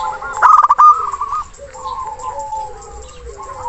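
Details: Zebra dove of local stock, singing loudly to call a rival; one sharp stuttered coo burst near the start, then softer rolling cooing notes from more than one bird.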